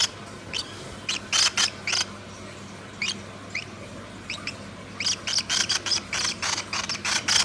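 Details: Bird singing in the morning: short bright chirps, alone at first and then in fast clusters of repeated notes toward the end, over a quiet steady background.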